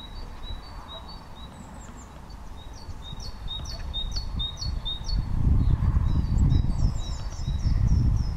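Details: Short-toed treecreeper at Perekker in March 2018, giving thin, high, sharp notes repeated several times a second, some sliding downward, over a strong low rumble of wind.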